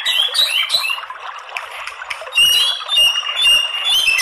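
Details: White-rumped shama song as a lure to provoke males: twittering whistles at first, then a repeated high whistled phrase delivered about twice a second.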